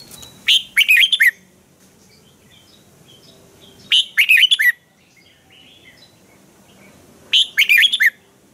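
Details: Red-whiskered bulbul from Thailand giving a lively, sharp training song: three bright phrases of quick whistled, chirpy notes, each about a second long, spaced roughly three seconds apart, with quiet between them.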